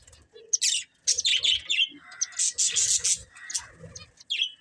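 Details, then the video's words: Breeding pair of budgerigars chirping: bursts of high, scratchy warbles and sharp chirps, densely packed with brief pauses, bright and chattery throughout. "Cute Budgies Chirping Sounds"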